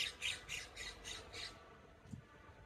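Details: California scrub jay (Aphelocoma californica) perched on a deer's back in Westlake Village, California, most likely eating ticks and bugs, gives a quick run of six harsh, rasping squawks, about four a second, then a soft low thump.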